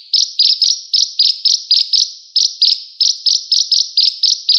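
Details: Sunbird used as a tutor recording for cage songbirds. A sharp, high chirp repeats about four times a second in short bursts with brief pauses. No other sounds are heard.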